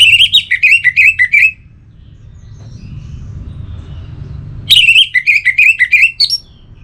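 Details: Orange-headed thrush, caged, singing two long runs of rapid, varied whistled notes with scratchy overtones, separated by a quiet pause of about three seconds.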